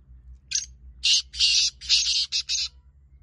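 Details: Kala teetar, the black francolin, giving one rapid phrase of about six harsh, rasping notes packed into two seconds, the middle notes long and buzzy.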